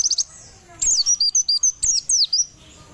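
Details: White-eye singing during morning sunning, in the energetic 'nembak' style: very high, quick twittering chirps and thin sliding whistles in rapid clusters, with a short pause after the first cluster.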